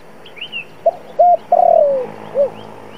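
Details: Decoy spotted dove cooing, used to provoke wild doves toward a trap. One phrase: clipped note, level hoot, long burry coo sliding downward, soft arched closing note, with small chirps from other birds in the background.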